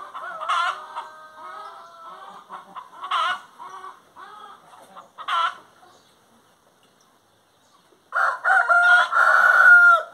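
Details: Singing hen giving long, wavering, harmonic drawn-out notes mixed with loud squawks and soft clucks, a quiet gap, then a strong sustained burst of crooning calls at the end.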